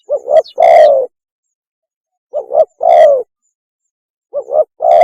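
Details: Mating call of a spotted dove, used as a lure: loud rich phrases, each a quick double coo followed by a long drawn-out coo, repeated roughly every two seconds.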